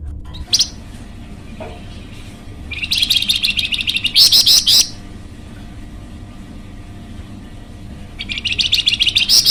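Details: Flamboyan bird used to lure or train other birds, giving long high rapid chattering trills, one two-second burst in the middle and another starting near the end, with a brief chip early on and faint background hum.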